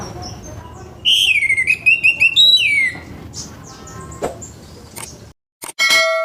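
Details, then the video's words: Morning song of an orange-headed thrush, a rough-voiced recording played to make other orange-headed thrushes start singing. A burst of loud, falling, warbled whistles, then sparse faint notes, a brief silence and a sharp high ending. "ANIS MERAH NGEPLONG PAGI‼️SUARA KASAR BIKIN ANIS MERAH BAHAN CEPAT BUNYI‼️"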